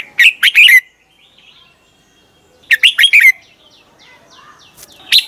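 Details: Red-whiskered bulbul singing in the morning, recorded as training song for other birds: two short, clear warbled phrases of several rising and falling notes, about two seconds apart. Faint soft chirps are heard between phrases.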